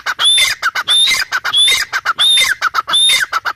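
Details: Female grey francolin calls close and loud: harsh, rhythmic phrases, each a scratchy burst with a sharply rising whistled note, repeated steadily about every 0.7 seconds.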